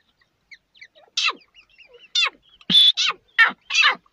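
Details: Partridge calling: a series of about five loud, harsh, downward-sweeping notes, roughly one every half second. Faint scattered chirps sound between them.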